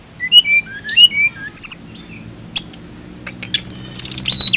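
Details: Flycatcher (tledekan) singing a sequence of short clear whistles rising and falling in the middle range, then sharp high chirps, a brief pause, and a final rapid high trill.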